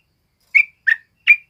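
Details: Sooty-headed bulbul song used as a training model for other birds: three short bright chirping notes spaced about a third of a second apart, clean with no background.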